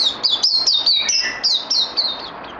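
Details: Bird needing more training, recorded 18 May 2020: a continuous chain of loud, high whistled notes, each dropping in pitch, repeated about four times a second, with a few lower warbles underneath.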